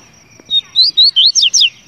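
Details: A single double-collared seedeater song phrase: six clear, high-pitched notes in quick succession, each a short rising or falling slur, the last ones zigzagging higher, over a faint steady background tone.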